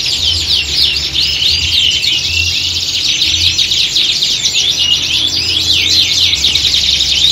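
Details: A squad of canaries sings at once, recorded to mimic a singing-competition setting for training: unbroken mass of shrill, fast sweeping trills and twittering notes, with a soft low rumble beneath.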